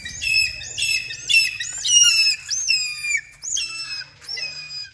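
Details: Hawk-eagle in training giving loud, piercing whistled squeals, some with upswept or hooked ends, uttered in rapid uneven runs roughly every second; little other sound.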